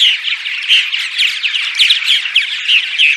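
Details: Purple martin morning vocalizations used to attract martins to a colony: a dense, continuous chatter of overlapping chirps, gurgles and short rising notes from many birds, with no other sounds.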